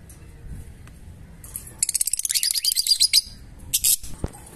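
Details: Fischer's lovebirds give a dense burst of high, scratchy chirps lasting over a second, then a brief second flurry and a sharp click near the end, over quiet low hum.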